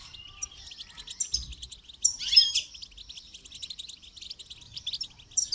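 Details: Goldfinch in song training: a steady stream of high chirps and twitters, rising to a loud buzzy, tinkling burst midway before settling back to rapid chatter.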